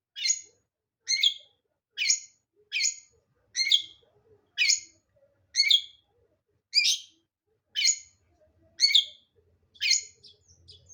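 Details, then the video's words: Long-tailed shrike giving short, harsh, rasping notes about once a second in a steady series, with a quiet background. "Burung Pentet gacor"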